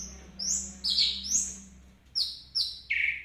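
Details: Orange-headed thrush singing teler style, a series of sharp high downslurred whistles delivered in quick uneven bursts, the last notes dropping lower, over a low steady hum.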